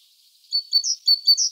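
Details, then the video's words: Singing great tit, Parus major: brief bright high whistled notes alternating with slightly higher chirps in quick succession, with no other sounds. "Great tit (Parus major). Singing birds 4K Ultra HD."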